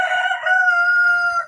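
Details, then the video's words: Rooster crowing late morning, around 11, as sun breaks after a cloudy morning; either a neighbour's rooster or a pet rooster: one loud, hoarse, drawn-out crow of about a second and a half. "I don't know if you can hear the neighbor's rooster, but he crows and then Franklin crows."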